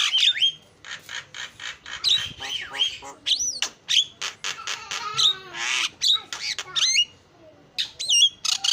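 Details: Starling lure song for drawing other birds in, heard as a varied stream of rasping bursts, sharp clicks and swooping whistled notes, some rising and falling steeply, with a short quiet spell near the end.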